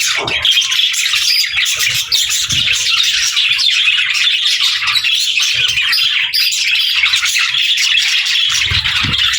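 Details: Pet budgerigars chirping together indoors: a dense, continuous chatter of high, scratchy chirps and warbles with no pauses, many birds overlapping throughout.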